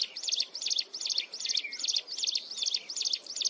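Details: A Vietnamese wren pours out a shrill, piercing, nonstop song of rapid repeated high notes, about three phrases a second.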